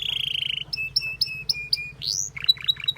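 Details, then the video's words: Canary song among a group of birds: a fast buzzy trill, then a string of short sharp notes dropping in pitch, a rising whistled sweep and a few quick chips, over a faint low hum. "The Singing Canary Tempts All The Canaries to Chirp"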